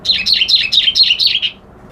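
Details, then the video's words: A brisk reed warbler phrase: about seven quick, loud chirping notes that dip and rise in pitch, evenly repeated, then a sudden stop. "Suara Burung Kerak Basi Alis Putih"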